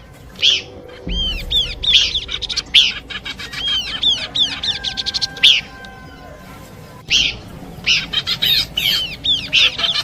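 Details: Repeated phrases of looping, downward-arched whistles and sharp chirps from Horsfield's babbler, in a combination song intended for luring birds, coming in regular bursts with brief quiet stretches and soft background hiss.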